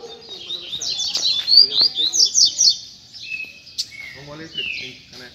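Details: Captive Double-collared Seedeater (coleiro) singing at a Sunday puxada singing session, its song called firm, fast and full of fibra: rapid, high, buzzy trilled phrases in quick bursts, followed by a man talking and softer chirps.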